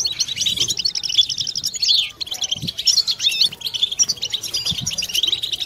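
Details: Many European goldfinches in a collective 'batbata' chorus, played to stimulate silent goldfinches and females toward mating song; dense tinkling high twitters and rapid trills overlap continuously, with a brief lull near two seconds and faint low thumps.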